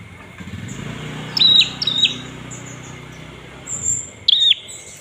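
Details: Olive-backed tailorbird calls used to provoke other birds into singing: a few sharp, high chirps with flat tops and quick downward ends, given in short bursts with pauses, over low background hum.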